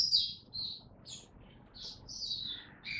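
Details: Oriental white-eye in song display, caged, 26 November 2022: a few scattered thin high notes and one lower buzzy note, quiet over a low background hum.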